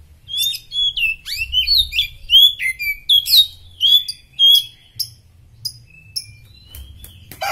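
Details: Fit Oriental magpie-robin singing as a tutor model for other songbirds: loud, rich, rapid run of varied whistled and sweeping notes, many sliding up or down, delivered almost continuously before thinning to scattered chirps, low hum beneath.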